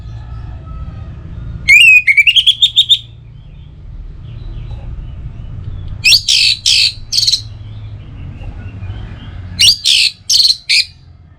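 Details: Orange-headed thrush, a kept bird from Singaraja, Bali, singing to encourage other birds in morning and evening: a rising whistled run of rapid notes, then two sets of harsh buzzy high phrases after pauses.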